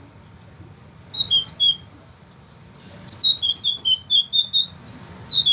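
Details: Sunbird song used as a master recording for training songbirds, with long rolling bursts; high thin notes in rapid trills and short whistled phrases, alternating between higher and slightly lower pitches in quick succession, no other sounds.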